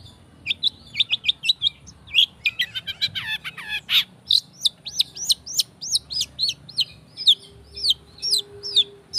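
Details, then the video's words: Long-tailed shrike singing, recorded as a lure to make kept shrikes sing: a rapid run of high chattering notes, then a long series of sharp upward-sweeping whistles repeated about twice a second. "PANCINGAN CENDET"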